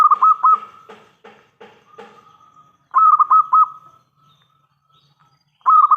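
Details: Local zebra dove with a loud, crystal-clear voice, used as a lure to prompt answers from other doves: phrases of rapid, pulsing coos each ending in a stretched tone. Quieter stuttering notes come between them, over a silent background.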